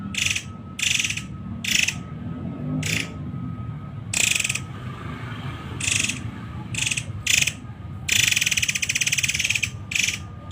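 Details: Muray Air delivering close-fired 'tembakan rapat' masteran song: short, raspy chattering bursts, irregularly spaced, ending in a longer sustained rattle near the end, with a faint steady tone and low rumble behind.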